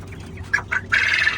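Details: A 45-day-old young male quail weighing 450 grams, which has only just started to call, gives two short, clipped notes, then a longer, harsh, buzzy burst, like an early and still-rough crowing attempt.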